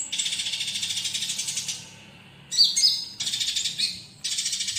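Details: Olive-backed sunbird song used as a tutor recording for training other songbirds, mixed with fighting-sparrow phrases: dense rapid high buzzy trills in pulsing bursts, a short gap, then sharp whistled and twittering notes before the trilling resumes.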